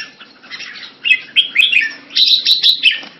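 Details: Jambul, a red-whiskered bulbul from the bird hobby. Soft warbling builds into clear whistled upslurred notes repeated quickly near the end, over a faint background murmur.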